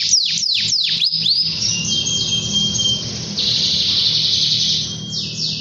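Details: Canary song meant to call rivals and get other canaries singing: opens with quick repeated sweeping notes, then a long sustained high rolling trill, with steady low hum beneath.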